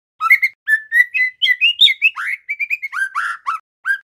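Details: Young male white-rumped shama, still in juvenile speckled plumage, learning its song with a long continuous string of loud whistles and chirps, varied and rising in pitch, ending with several lower warbled notes and a last short whistle.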